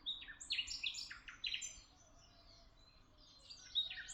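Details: Tuzla birdsong: sharp, scattered high chirps in quick clusters, a brief pause, then a few more bright notes against quiet background noise.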